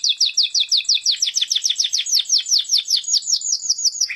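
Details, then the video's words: Morning song of a canary, a fast trill of clear, downward-sweeping whistled notes repeated about four times a second, rising slightly in pitch midway and ending in a brief upward flourish. "تغريد صباحي لكناري روعة"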